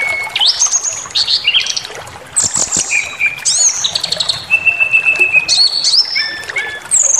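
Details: White-rumped shama song used as provocation to make birds aggressive and show full repertoire: varied loud clear whistles, some rising, some flat and sustained, with quick downslurred notes and bright high phrases, no other clear sounds.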